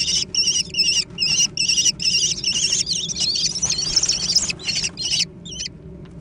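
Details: American kestrel young in a lively food fight. Rapid, rasping, wavering high calls run together, then break off into a few brief squeaks near the end.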